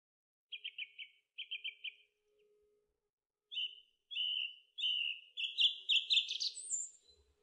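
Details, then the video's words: Song thrush singing: a short trilled phrase given twice at steady pitch, a pause, then a run of brighter whistled phrases climbing higher and growing more complex toward the end. "Song Thrush Singing"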